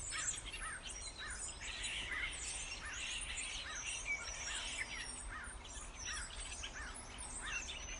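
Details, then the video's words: Starling song: repeated short arched whistled notes around every half second over a dense chattering, buzzy background of many birds, with low rumble beneath. "Mind boggling sound of starling"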